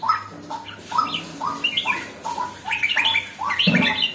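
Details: Red-whiskered bulbul just beginning to turn lively: short whistled, slurred phrases rising and falling in quick bursts, repeated about every half second, with a faint low hum beneath.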